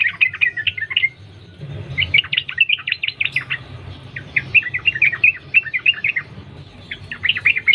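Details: Wild trucukan, the sooty-headed bulbul, delivering a continuous ropel song used as a lure: near-unbroken chain of quick liquid chirps and bubbly phrases throughout, with low rumbling hum beneath.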